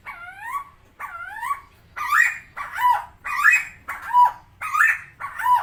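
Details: Tame, very vocal helmeted friarbird, known locally as koak kao or cucak timor, gives two clear rising-then-falling whistled notes. Six harsher, rasping two-part notes follow, roughly every 0.6 seconds.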